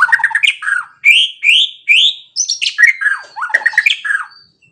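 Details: White-rumped shama song used to make other shamas answer and show their repertoire: loud, varied whistled phrases, repeated rising slurred notes and quick trills in a rapid, uneven sequence.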